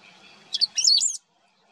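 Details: Great pampa-finch singing in wetlands of the Maldonado river estuary, Maldonado, Uruguay, September 2022: one short high phrase of two quick sharp notes followed by a tangled run of squeaky, warbled notes, lasting under a second, then quiet.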